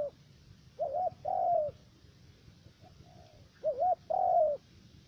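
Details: Spotted dove decoy in a trapping setup, Khánh Hòa commune, U Minh, Cà Mau province, Vietnam, with a three-note voice. Two coo phrases, each a wavering short note and a longer sliding-down note, with a quiet soft coo between them.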